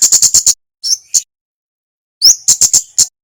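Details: Male flowerpecker from Java, singing actively for use as bird-training audio: a fast run of five high ticks, two short rising notes, a pause, then a clear upslur followed by more crisp ticks.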